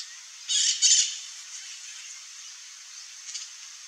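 Glittering-bellied Emerald giving two quick bursts of high, dry, scratchy twittering, followed by a faint thin note later, over a soft hiss.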